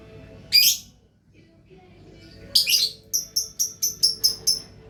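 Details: Lovebird singing gacor: a harsh burst of chatter, a second grating burst, then a quick run of eight sharp, evenly spaced high chirps.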